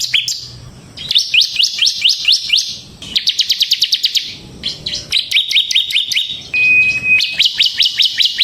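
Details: Semi-gacor bar-winged prinia in full ngebren song, used as a training lure: rapid high trills of repeated sharp notes in bursts, broken by short pauses, with one steady whistled tone near the end.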